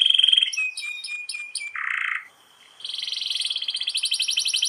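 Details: Long-rolling canary master song for training young or reluctant canaries: a high whistled note, a series of quick stepped chips, a brief buzzy burst, a short pause, then a fast, steady high trill.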